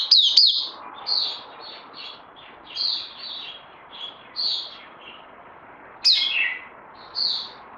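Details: Oriental white-eye kept as a songbird, 31 May 2020. Loose, irregular series of short high buzzy notes and a few sharp chirps, quieter and spaced by pauses rather than a continuous run.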